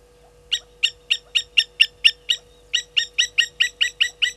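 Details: Blacksmith lapwings at Gowrie dam, Djuma Game Reserve, Sabi Sand Wildtuin, South Africa, scolding a slender mongoose on 30 July 2020 at 10:50: a run of about nine hard, ringing metallic notes, a short pause, then eight more in quick regular rhythm.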